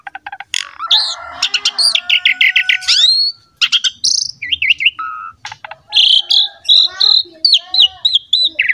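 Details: Model song of an Asian pied starling, singing energetically for tutoring juvenile and wild-caught starlings: rattling clicks, a raspy stretch with whistled overtones, wavering whistles, then a busy string of chirps.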